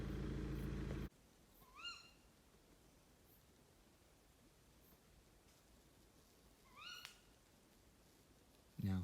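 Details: Female tawny owl (Strix aluco) at night in the North Chilterns, Hertfordshire, 19 August 2018: two sharp, upward-flicking 'ke-wick' calls about five seconds apart. Loud rumbling noise opens and closes the recording.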